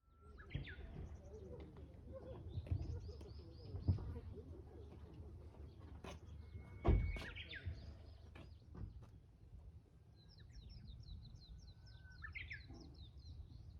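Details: Japanese bush warbler singing on Mount Yahiko: several faint songs, each a long steady whistle followed by a quick jumping flourish. High chirps from other birds and a low wind rumble run underneath.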